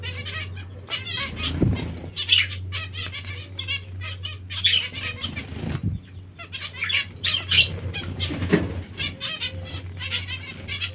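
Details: Zebra finches at bath time give quick series of short, nasal beeping calls, broken by bursts of fluttering wings and splashing over a steady low hum.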